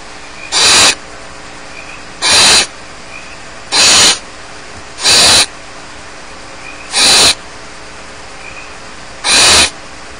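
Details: Nestling barn owls alone in their nest at Starr Ranch give loud rasping hisses, short breathy bursts spaced about one and a half seconds apart, with faint thin chirps between them.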